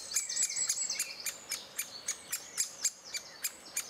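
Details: Great spotted woodpeckers feeding chicks in June 2011: a fast run of hard, sharp clicking notes, several per second, mixed with thin high twittering and whistles.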